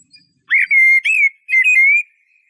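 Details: Eurasian blackbird singing two fluty phrases. Each opens with a quick upward slur and settles into a sustained, slightly wavering whistle.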